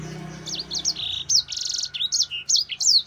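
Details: Sanger (grey singing finch) in lively song, meant as a tutor recording for other birds: rapid high whistled notes, slurred up and down, with a buzzy trilled segment and short clipped chirps following quickly.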